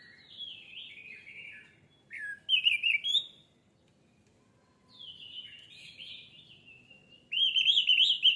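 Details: Orange-headed thrush singing, offered as a lure to set birds singing fast. Long, high, thin whistled phrases slide downward, alternating with a few brighter, sharper notes, with quiet gaps between phrases.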